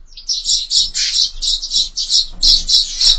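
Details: Sparrows crowding a window feeder, producing loud, dense, slightly harsh high chirps in a rapid run of about three to four notes per second.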